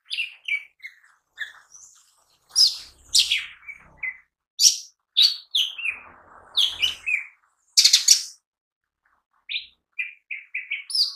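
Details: Lesser green leafbird (cucak ijo mini) singing vigorously, recorded as lure and daily training material: a long, varied stream of loud bursts, slurred whistles and chattered notes, ending in a series of short rising whistles.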